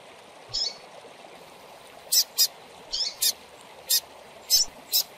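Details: Calling young double-collared seedeater, used to excite captive birds: a slurred, slightly rising chirp, a pause, then a quick series of sharp, high peeps, several paired, over a continuous hiss.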